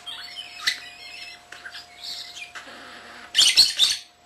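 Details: Pet common starling under a year old, indoors, talking and whistling, imitating camera beeps, lovebirds and cockatiels: thin whistles and chatter, then a loud harsh burst of rasping notes near the end.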